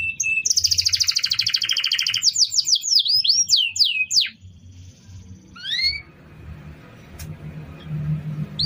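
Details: Canary song used as a model for other birds: dense buzzy trill first, then a run of sharp downward whistles, a pause, and a few rising notes over background noise.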